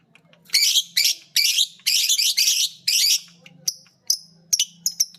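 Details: Lovebirds, a green biola and a PB Piet, practising ngekek chatter together: loud harsh rasping bursts repeated about every half second, then thinner high chirps spaced apart toward the end.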